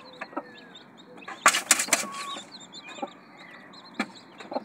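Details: Hen with her little chicks, the chicks giving many thin high peeps and trills throughout, mixed with a few soft clucks and short bursts of rustling or wing-flapping.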